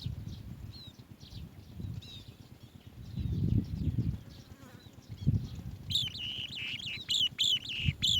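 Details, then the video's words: Asian green bee-eater chick in its nest inside the mother's cave, bursting into loud, shrill, rolling chirps near the end after faint high notes earlier, over a low steady rumble. "Asian green bee-eater Baby bird in mother's cave to remember"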